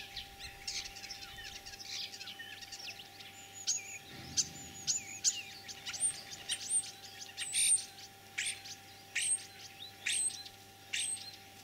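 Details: Mimicking song of a common starling, spring, 9 April 2023, Kalyazin district, Tver region, Russia. Crackling clicks lead into a series of very high short whistles, repeated about twice per second.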